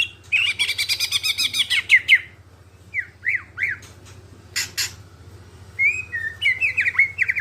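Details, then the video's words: Greater green leafbird song, clear-voiced, used to prompt other birds to sing; a rapid buzzy trill, short gaps, bouncing whistled notes and harsh broadband bursts, over a constant low hum. "Cucak ijo suara jernih, pancingan biar cepat gacor"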